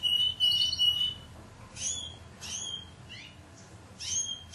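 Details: Timbrado canary singing, 2009 Greek club team bird: a sustained bell-like whistled note, then short separated bursts of sharp, metallic chipping notes with brief pauses between them.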